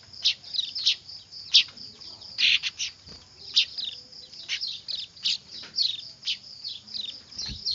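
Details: Weaver chicks in a noisy chorus, used for luring birds: dense, high, scratchy chirps tumbling rapidly and irregularly, with a few louder squeals among them.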